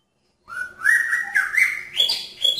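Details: Caged male magpie-robin courting a female in a pairing cage. After a brief silence it gives continuous whistled warbling that climbs gradually in pitch, ending in higher, slurred notes.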